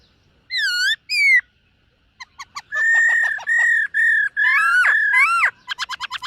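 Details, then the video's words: Morning voice-training song from a black-throated laughingthrush dancing as it sings: two bright chirped notes, soft clicks, long level whistles, then a twisting slurred phrase and a rapid stuttering run of short notes. "Khướu BẠC MÁ hót MÚA luyện giọng . Khướu hót sáng luyện giọng kích bổi"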